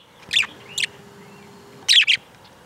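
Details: Outdoors, a parakeet (budgerigar) gives two quick pairs of high, sharp chirps, each pair separated by about a second of quiet, with a faint low hum underneath.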